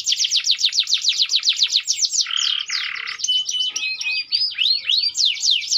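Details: Kenari AF canary singing gerek: rapid repeated downswept whistles, two brief harsh buzzy bursts, then looping slurred notes and chips.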